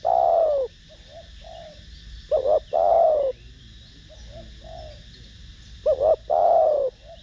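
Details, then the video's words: Spotted dove in the Vietnamese "thổ đồng" voice style, cooing to lure and stimulate other doves: loud low hooting phrases of a short double note then a long sustained coo, repeated about every three seconds, with softer coos between. "Cu gáy Gù,Thúc giọng THỔ ĐỒNG kích mồi tập bổi rất hiệu quả"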